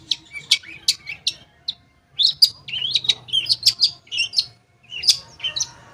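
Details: Long-tailed shrike lure song for birds that have stopped singing: scattered sharp high clicks, then a dense warbled phrase of quick whistles and chirps after a short pause.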